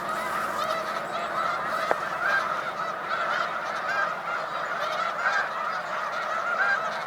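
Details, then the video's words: Snow Geese in big spring-migration flocks on Cayuga Lake, New York, 20 March 2021, give a steady wall of yelping honks from many birds at once, with a single sharp tap near the two-second mark. "Snow Geese On Cayuga Lake, 3/20/2021"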